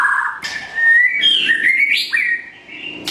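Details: White-rumped shama, Blorok variety, singing at morning for training: a smooth low whistle rising into a long sliding phrase that climbs stepwise, with a sharp upward note and a final click.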